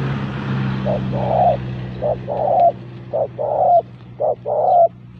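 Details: Spotted dove lure call: four two-part coos, each a short note followed by a longer, slightly wavering note, repeated roughly every second, over a steady low hum.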